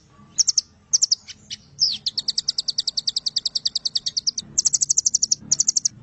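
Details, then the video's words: Velvet-fronted nuthatch in 'nembak panjang' long-firing song, 'Doraemon' type. Short high chip groups and a downward slur lead into a long, even run of sharp ticking notes, then two quicker rattles. "Masteran burung Rambatan Doraemon nembak panjang fariasi terbaru"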